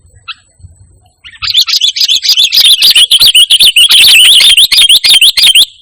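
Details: Sooty-headed bulbul singing without borrowed notes, intended as a calling and master tutor sound for kept birds: after a quiet start, a fast, continuous run of sharp wavering chips, about three or four per second.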